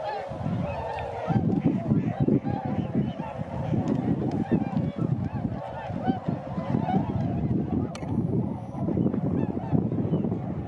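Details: Tundra swans flying at Sakata, Japan, 3 November 2018, produce crowded overlapping honks, with heavy low-frequency wind noise throughout.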